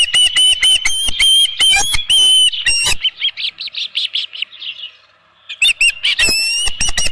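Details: Osprey on a nest with a headless fish, midday 27 June 2018: strident whistled chirps about twice a second, then a run of softer, fading peeps before loud calling resumes.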